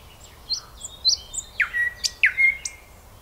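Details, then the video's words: Common nightingale song, softer and more varied: scattered high thin notes, then two louder downward slurs each followed by a drawn-out whistle, with a high squeak at the end. "Соловей поет / nightingale song"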